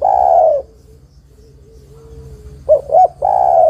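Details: Female spotted dove calling a male, recorded for luring. The tail of a long coo, a pause with a faint whine, then two quick coos running into another long mellow coo.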